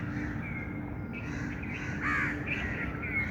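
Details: A mix of drawn-out thin whistles and a louder rough, caw-like burst midway from outdoor birds, with a low steady hum running throughout.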